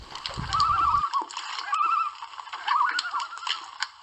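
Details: A gathering of common loons on Lac Kipawa, Quebec, recorded while canoeing: loud, rapidly wavering tremolo calls repeated three times in quick succession, with a brief low splash at the start and little other noise.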